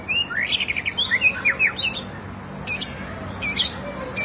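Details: White-rumped shama song used as training material for captive birds: bright high chirps and short slurred whistles in a quick run, then scattered sharp clicks and notes over a faint low hum.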